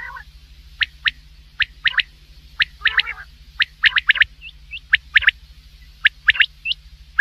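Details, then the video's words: Common quail (batair) heard at night, a hunting call: irregular series of crisp, sharp notes, often in pairs or triplets, with a few short hooked whistles and one brief raspy burst; faint steady hum throughout. "quail voice for night | Batair ki awaz"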